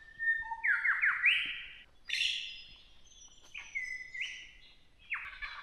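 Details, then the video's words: A lyrebird in forest in Victoria's High Country near Mt Terrible runs through a mimicked medley. It gives clear whistles, sliding upward phrases and harsh rasping bursts, including kookaburra and cockatoo imitations, changing every second or so. "You can absolutely hear a lyrebird just over there. Have a listen to this."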